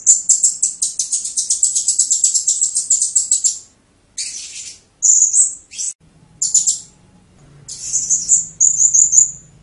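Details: Blue-crowned hanging parrot, 'teler' style: a long, fast series of very high chirps, followed by scattered buzzy bursts and short, thin, whistled phrases with gaps between them.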